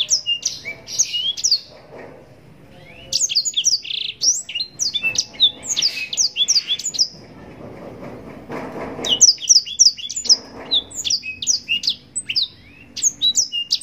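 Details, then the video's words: Blackthroat, the yellow-rumped serin, singing long rich phrases: rapid high whistles and chattering slurs, pauses near two and eight seconds, then renewed energetic bursts of song. "Blackthroat gacor nembak panjang cengkok mewah full durasi panjang‼️blackthroat bird sound"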